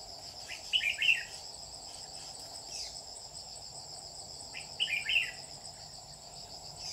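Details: Red-whiskered bulbul used as a lure bird for trapping, recorded 27 July 2019: two short, bright warbled phrases about four seconds apart, over a steady high insect drone.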